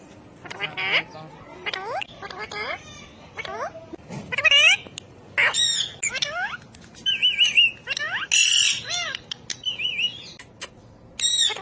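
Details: A ring-necked parakeet chatters in imitation of human speech, giving many curved, gliding syllables and wavering whistled notes in an uneven, continuous stream.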